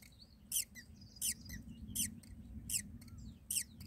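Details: Myna chicks in a nest while the mother feeds them, a snake skin lying in the nest: short, high, squeaky calls with a dropping tail, repeated about every 0.7 seconds over a steady low hum.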